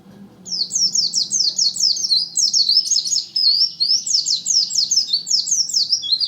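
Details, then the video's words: A white-eye (pleci) from Lumajang pours out a continuous, very high, rapid chattering song of quick downward-slurred chirps lasting about six seconds, over soft low background noise. "Burung pleci lumajang"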